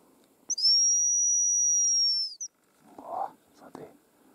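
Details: Hazel grouse giving a very high, thin, steady whistle that holds level for about two seconds, then a brief clipped note, followed by soft low rustling and a couple of dull knocks.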